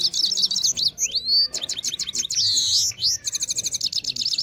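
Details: A Kabul Afghani goldfinch sings a fast, high, continuous twitter of tinkling and buzzy notes, mixing liquid slurred phrases with rapid repeated chips. Finding: Goldfinch.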